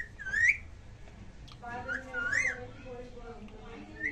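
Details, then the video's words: Indian ringneck parakeets kept indoors, said to be talking to each other in Hindi: two clear rising whistles, one at the start and one mid-way, with a soft voice-like murmur between and another whistle beginning at the end. "Adorably Talking Ringneck Parrot With Each Other In Hindi"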